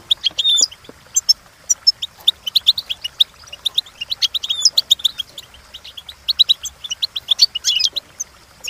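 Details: Goldfinch singing for song training: a steady run of high, sharp tweets and twitters, roughly several notes per second, with a brief buzzy burst near the start and clean quiet background.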